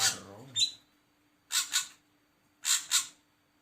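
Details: A brief human voice at the start, then an ashy drongo answers with paired harsh, scratchy notes repeated about once a second over a low steady hum.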